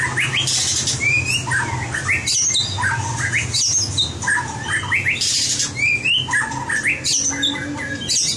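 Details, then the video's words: White-rumped shama practising competition song, pouring out varied upslurred and downslurred whistles mixed with harsh squawky notes in quick succession, indoors with a faint steady hum behind. "luyện chòe lửa hót đấu"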